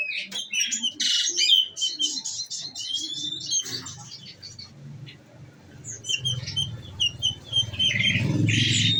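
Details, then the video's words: Caged olive-backed sunbird, fed nectar, giving a rapid 'shooting' song: dense bursts of high, sharp chirps and squeaky notes for about four seconds, then scattered high chirps over low rumbling background noise. "bunyi nembak nembak"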